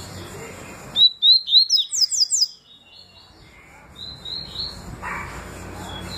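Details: Double-collared seedeater song of the tui tui and deputado styles: a bright run of about six rapid rising whistled notes, then a softer drawn-out whistle over a hissing background.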